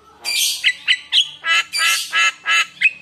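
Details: Javan myna singing as a lure for other mynas: alternating long harsh rasping squawks and short nasal notes, roughly three sounds a second.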